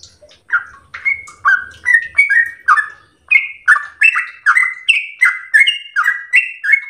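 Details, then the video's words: Captive sooty-headed bulbul (trucukan) kept at home, singing in the lively, slow rapid-series style called gacor ropel slow and used as a training song. Clear, bubbly whistled notes dip and rise, repeated about every third of a second. "trucukan SUPER GACOR ROPEL SLOW terbaik untuk masteran trucuk rumahan"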